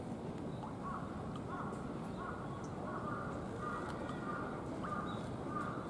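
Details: Captive Toco toucan at Ueno Zoo in Tokyo, Japan, giving a run of short, harsh, croaking notes repeated roughly every half second to second, heard over a constant loud rumble of background crowd and ambient noise.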